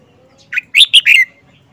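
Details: Caged Red-whiskered bulbul, wild-caught and held four months, giving one of its characteristic song phrases: a brief lead note followed by three loud, clear whistles in quick succession, ending with a falling slur. Quiet background.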